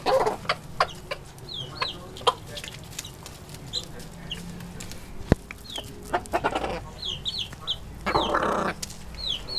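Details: Chickens feeding, giving repeated short high chirping calls, some in quick pairs. Frequent pecking taps and a brief broad clucking burst near the end are also heard.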